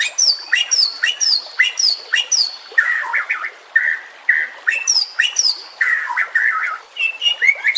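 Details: Song of a white-rumped shama, meant as a lure and training aid, with trickling water: rapid repeated downslurred whistles alternating with lower warbled phrases, varied and energetic throughout.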